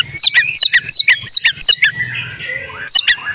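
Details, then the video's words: Oriental magpie-robin female in breeding condition, used to prompt males to sing: quick, sharp, down-sliding whistled notes repeated nearly three per second, a brief pause with soft low warbles, then two more sharp notes. "pancingan kacer jitu "AUTO" kacer bisu langsung gacor ngobra \\ kacer betina birahi"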